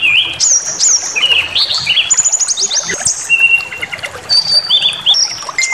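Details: Lure song of a brown-chested jungle flycatcher to rile rivals: fast rising whistles, a rapid ladder of repeated notes, then long flat high tones and short clipped phrases in changing pitches.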